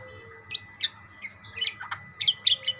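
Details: Budgerigars answering one another with quick, high chirps and squeaks in small clusters, a brief lower warbled note in the middle, over a quiet steady background hum.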